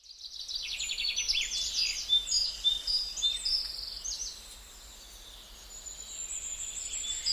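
Gouldian finch song: rapid, very high, thin buzzy notes and hissing trills packed closely together, fading after a few seconds, with faint background hum.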